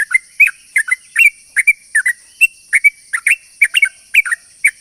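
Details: Sooty-headed bulbul giving a long, lively song used to lure other bulbuls: quick chattering whistles, many in pairs, pouring out steadily throughout, over a persistent shrill drone.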